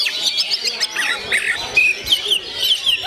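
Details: Natural voice of a 'gondo mayit' oriental magpie-robin: quick bright whistles and sharp chips delivered in short irregular bursts, including one clear, level, ringing whistle near the middle, set against a busy high-pitched background.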